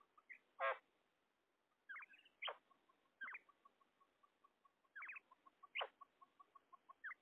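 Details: Female common quail giving sharp, rasping call notes in spaced bursts, with softer chirps between them, over a steady series of faint, evenly spaced pips.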